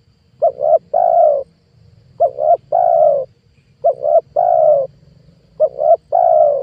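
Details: Spotted dove used to lure wild doves: four phrases, each a quick pair of short coos followed by a long mellow coo, spaced about 1.6 seconds apart, over a low humming background.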